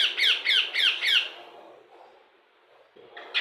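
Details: Indian ringneck parakeet kept indoors and mimicking words: five quick, bright squawky syllables at about one-second spacing, then a long quiet stretch before a brief sharp note at the end.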